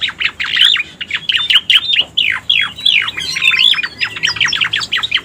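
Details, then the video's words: Striated grassbird sound used as a lure: rapid chirps and long downward-sweeping whistles in quick succession, with a thin whistled overlay in the middle. "Suara Pikat Burung Cica Koreng"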